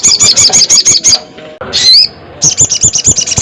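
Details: Crested jay calling a rival: a fast metallic rattle of sharp, high pulses about seven per second, broken by a brief rising whistled sweep, then the rattle resumes.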